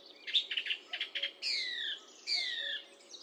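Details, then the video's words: Song thrush song opening with a rapid patter of clicking, chattering notes, then two long, clear whistles sliding downward in pitch, about a second apart. "Song thrush Singing"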